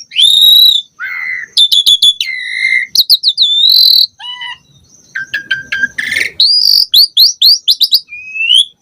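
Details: Varied singing of an Asian pied starling: level whistles, staccato chirp runs, a short descending trio of notes, a harsh rasp, then rapid upslurred chirps and a final rising whistle.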